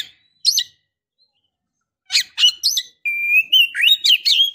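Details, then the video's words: Female Oriental magpie-robin calling the male: two scratchy chips, a pause, then quick harsh notes leading into a string of clear whistles that rise and fall, each run under a second long. "KACER BETINA Memancing KACER JANTAN"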